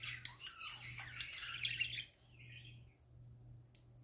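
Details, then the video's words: Parakeets singing: two seconds of rough, squawky warbling chatter, then quieter, with one soft rising whistle-like note and a faint final chirp, over a low steady hum. "Parakeets Singing Happy Parakeets Parakeet Sounds"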